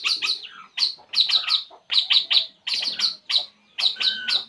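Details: ['Puling bird calling while relaxing: bursts of sharp high chirps in quick clusters of two to four, separated by short pauses, with some lower notes underneath.']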